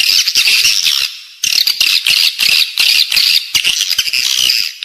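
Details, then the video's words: Lure calls of edible-nest swiftlets for use inside a building: continuous high, buzzy twittering in repeated bursts, one longer dip near the start, sharp clicking pulses mixed in. "เสียงเรียกนกแอ่นกินรัง ((ด้านในตัวตึก))"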